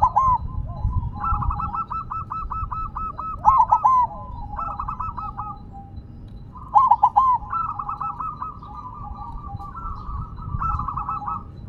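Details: Silver zebra dove singing while set on the ground: two loud bursts of three to four rolling, bubbly coo notes about three seconds apart, over a steady chorus of softer, trilled cooing from other doves and low rumbling background noise.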